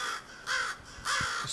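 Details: American crow gives two harsh, nasal caws about half a second apart, each rough and slightly falling, with faint background noise between them.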